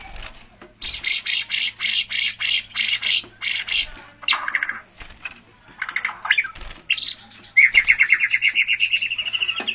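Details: White-rumped shama (murai batu) in gacor singing: a run of regular harsh buzzy bursts, then mixed chattering notes and a fast series of high repeated whistles.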